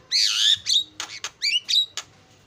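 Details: Starling lure song used to get other starlings singing, a champion-style recording: a loud harsh, buzzy opening phrase, then short rising whistles and clipped noisy bursts over about two seconds, with a quiet background.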